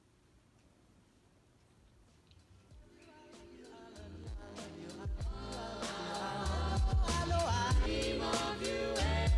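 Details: Pop music with singing swells from a quiet start into a loud, steady beat, with no animal voice standing out.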